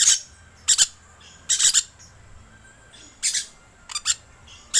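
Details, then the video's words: Lure call of a lorikeet, a series of loud, rasping, high screeches. Single and paired bursts come at uneven gaps over a quiet background. "Suara Pemikat Burung Perkici Hijau"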